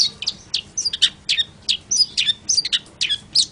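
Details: Long-tailed shrike (cendet) delivering a rapid, jumbled string of squeaky chirps, buzzy notes and brief high whistles, about three or four notes per second with uneven spacing.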